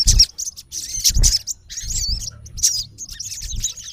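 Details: Olive-backed sunbird, a male, calls at a rival in natural habitat, giving bursts of high squeaky twitters and wavering whistled notes separated by brief pauses, over occasional low thuds.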